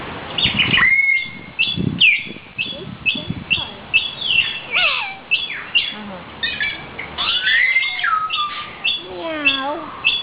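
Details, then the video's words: Talking common hill myna kept as a pet, able to speak phrases, whistle and imitate a dove and a guitar; clear whistled notes around a steady pitch, rising and falling slurs and rapid harsh speech-like phrases, repeated in short bursts. "sprechender Vogel (sprechender Beo )"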